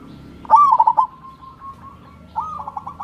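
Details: Zebra dove, local perkutut, giving a lure song to get lazy birds singing: a loud rolling, stuttering coo followed by a fainter drawn-out trill, then a second rolling phrase starting.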